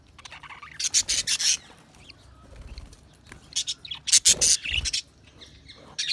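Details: Budgerigars chirping: bursts of short, bright, scratchy chirps in two clusters about three seconds apart, with quieter twittering and faint rustling between.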